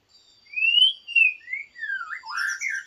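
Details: White-rumped shama decoy bird said to sing weakly, giving clear drawn-out whistles that rise and fall, followed by a jumble of shorter warbled notes, in a quiet setting.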